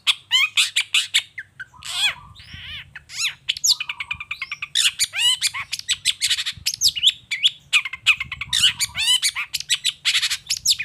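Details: Lure song of a long-tailed shrike meant to provoke other shrikes into answering; busy mix of harsh rasping bursts, quick whistled slurs and scratchy chatter in rapid succession.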